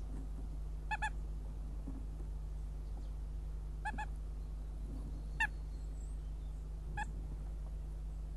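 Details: Northern goshawk at its nest in Riga on 1 May 2016, the male sitting on eggs while the female leaves and returns; four short harmonic calls spaced about one to two seconds apart over low rumbling background noise.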